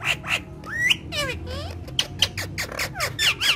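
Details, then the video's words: Talking parrots of a family, playing and speaking Urdu and Hindi, give a jumble of short harsh squawks and sliding whistles, several bright clicks near the end, with a low room hum underneath. "Gorgeous Talking Parrots Playing And Speaking In Urdu Hindi"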